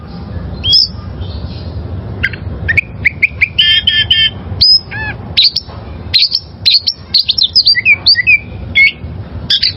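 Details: Wild oriental magpie-robin singing: scattered high whistles and chips, a short burst of stacked rapid notes, then fast tumbling twitters toward the end. Steady low background noise throughout.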